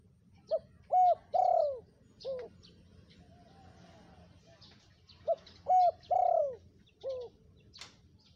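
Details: Calling spotted dove for luring wild birds: two matching phrases of five mellow coos, the middle notes longest and sliding down, separated by a short pause, over quiet high-pitched twitters of small birds.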